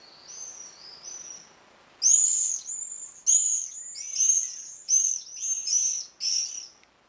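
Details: Common swifts at a colony nesting in a terracotta pot under a terrace roof, Leuven, 14 June 2015, give shrill, buzzy screams: two faint ones, then a run of loud, harsh sub-second bursts in quick succession.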